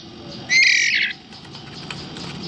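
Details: Hand-fed White-rumped shama chicks, about 11 days old and possibly all male, beg for food with a single harsh, high squawking burst lasting about half a second, over faint background rustle.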